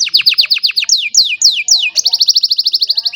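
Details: An aged canary's song on a sunny morning, recorded by cellphone: a quick pulsed trill, three long sweeping downslurs, then a steady rapid trill of bright notes.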